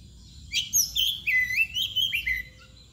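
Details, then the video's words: Oriental magpie-robin (kacer) singing in the mbagong style, described as nangkur and balon: a lively run of clear, varied whistled phrases, some sliding and warbled, in quick bursts over about two seconds, with a faint low background hum. "KACER MBAGONG LUCU ABIS"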